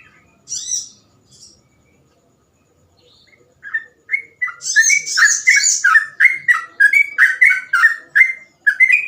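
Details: Sooty-headed bulbul singing 'gacor ropel' with easily imitated phrases: after a few scattered high buzzy bursts, a dense run of quick whistled notes mixed with harsh chatter.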